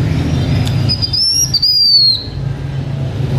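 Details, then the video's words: Blue-winged minla giving decoy-style singing, kept by a H'Mông owner: one loud, clear, high whistled phrase of about a second, rising slightly and then sliding down, over a steady low hum. "Khướu lùn cánh xanh hót mồi"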